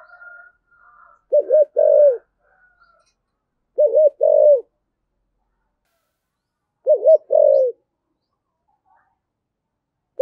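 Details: Spotted dove with a 'thổ sấm' voice, cooing hard: three low, mellow phrases about two to three seconds apart, each a stammered double note and a held coo, with a faint flat whistle at the start.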